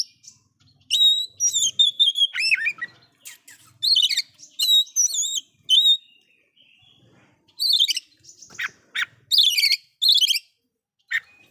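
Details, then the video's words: Oriental magpie-robin giving a loud song said to rouse other magpie-robins: bursts of clear, high whistled phrases with rapid sliding and warbled notes, separated by short pauses, in a quiet setting. "KACER SUARA KERAS ISIAN BIKIN BURUNG KACER LAIN'JADI NAIK EMOSINYA"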